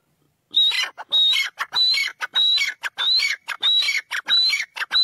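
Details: Black francolin, known locally as kala teetar, giving a loud harsh call. The phrase repeats about every 0.7 seconds. Each phrase opens with a thin high whistle, then breaks into grating, descending rasping notes. The background is quiet.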